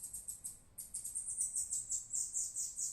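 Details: Bird, identified by the local name sibitinho, singing a very high, thin series of rapid buzzy chirps repeated about twice a second, fairly steady in pitch, over a quiet background.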